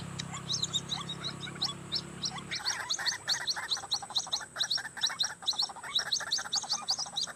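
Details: White-breasted waterhen beside a highway, recorded for trapping. After a low rumble fades at about two and a half seconds, rapid choppy mid-pitched notes pour out, with sharp high chirps scattered throughout.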